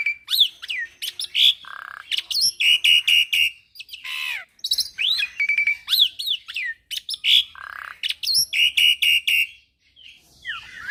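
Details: Varied song of a young, vigorous Javan pied starling, rich in fill phrases: rapid chirps, looping whistled notes, harsh squawks and short buzzy bursts packed densely together with only brief pauses.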